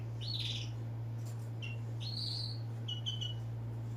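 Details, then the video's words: Bird giving several short chirping calls, a few rising or sliding and some doubled, spread across a few seconds over a steady low electrical hum and background hiss. "bird sound"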